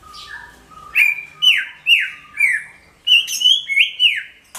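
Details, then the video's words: Greater green leafbird song as a lure for every bird: a steady series of loud slurred whistles, each rising then dropping, about two per second, over faint lower notes. "SUARA CUCAK IJO MENGGELEGAR PAS BUAT PANCINGAN SEGALA JENIS BURUNG"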